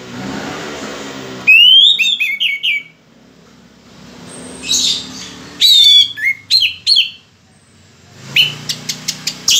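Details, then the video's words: Orange-headed thrush singing while still in moult. After a low rumbling start, loud high whistled phrases with rapid rising and falling sweeps and slurred notes come in separate bursts, with quiet pauses between them. "anis merah 3 detik langsung bunyi"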